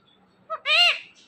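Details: Talkative green parrot kept as a pet, uttering one short word-like sound: a brief clipped syllable, then a longer harmonic, slightly falling vowel, all in a quiet room.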